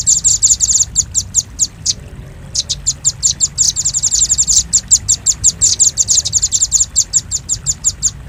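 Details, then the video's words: Velvet-fronted nuthatch, used as a lure for catching birds: high, sharp chipping notes in quick bursts, with a short gap after two seconds, then a long run of rapid ticking chips. "Suara pikat burung rambatan paruh merah paling ampuh"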